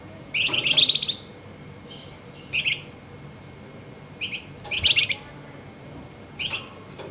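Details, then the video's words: Flameback at night, several short, scratchy chattering bursts of varying length, quieter and more broken than a full rattle, scattered through the recording. "Burung FLAMBOYAN GACOR Nyerecet Emosi Tinggi DiMalam Hari"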